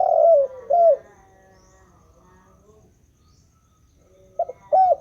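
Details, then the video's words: Spotted dove calling without pause: soft, low cooing notes in pairs, each phrase followed by a silent gap of about three seconds before the next pair of coos. "suara burung tekukur sangat meredu (bunyi tak berhenti)"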